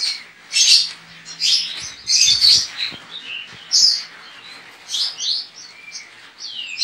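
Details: Javan white-eye entered in an online singing competition, kept in Pontianak, West Kalimantan, misted daily and sunned from seven to eight in the morning; bright high twittering bursts in quick, irregular phrases with sharp chirps between them.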